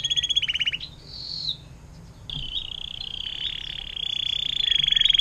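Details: Canary song in water-fountain style, used as tutor audio for songbirds: a short rattling trill, a whistled note, then a long smooth rolling trill that swells toward the end.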